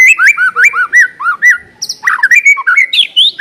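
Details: White-rumped shama song used as a lure to make another shama start singing quickly and freely: rapid series of clear slurred whistles, rising and falling, with bright high overtones, then a faster, more varied jumble of notes.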